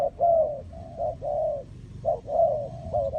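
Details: Spotted dove cooing in loose, overlapping phrases of soft hooting notes, some slurred and drawn out, over a low rumbling background.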